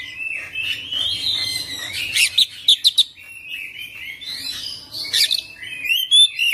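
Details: Kacer singing full isian ngerol gacor song: a steady wash of high twittering broken by several sharp, loud chip notes and a few slurred whistles near the end.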